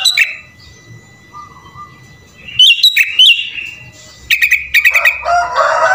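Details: Sooty-headed bulbul singing vigorously with its song crowded with copied phrases of other birds, for luring other bulbuls. A short whistle, a pause, then two rushes of rapid bright whistles and a closing harsh, noisy warble.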